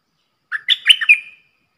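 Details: Song of a red-whiskered bulbul used in Thailand as a decoy and as a model for young birds: lively, jumbled warbling notes rise and fall, then one note fades out in a long whistle. The background is silent.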